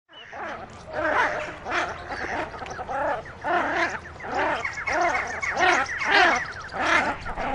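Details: Common shelduck (Tadorna tadorna), squabbling calls: squabbling between ducks.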